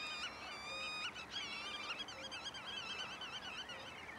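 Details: Pied avocets in the Waterland-Oost nature area at Durgerdam, Holland, recorded 6 May 2011: several birds giving clear, liquid whistled calls that waver up and down and overlap one another almost continuously.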